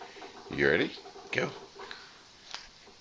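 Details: An African grey parrot during morning play talks in a human-like voice: a longer phrase, then a shorter one a moment later, followed by a few faint clicks in a quiet room.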